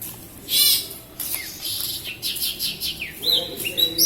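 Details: Javan bush lark, local to Kediri in Java, delivering a busy song of rasping high bursts, quick downslurred whistles and rapid chattering notes, rising and falling in loudness throughout.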